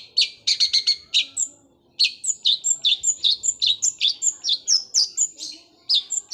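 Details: Long-tailed shrike with gereja Kunti style song and sewing-machine roll speed fighter shots: a fast stuttering burst, a short pause, then a steady string of bright, slurred high notes mixed with thin whistles.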